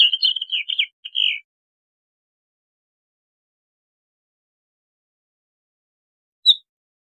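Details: A Bluethroat gives a short, scratchy warbling phrase of high twittering notes lasting just over a second, followed by a long silence and one lone high chip.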